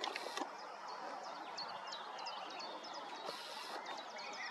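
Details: Willow warbler (Phylloscopus trochilus) singing in woodland at Kotthausen, Wuppertal-Beyenburg, Germany, on 3 May 2023: a run of sweet, high, slurred notes drifting gently downward over steady woodland hiss, with two brief rustling bursts.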